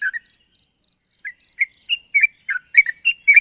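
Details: Sooty-headed bulbul in lively voice, calling to a rival: an opening chirp, soft high ticking, then increasingly rapid, loud bubbly and whistled slurred notes running close together.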